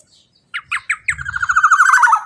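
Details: Loud 'teler' song from a male black-naped oriole, meant to set other birds singing: three spaced downslurred notes, then a rapid rich rolling trill continuing to the end, slight low rumble.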